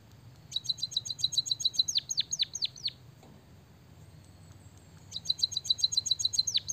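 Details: Energetic white-headed munia with canary phrases in its song: a fast string of high ticks that speeds into down-hooked chirps, a two-second pause, then the same ticking run again.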